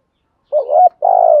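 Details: Spotted dove coo used for luring wild doves: a warbling note rising to a clear tone, a short pause, then a long buzzy, pulsing coo slowly falling in pitch.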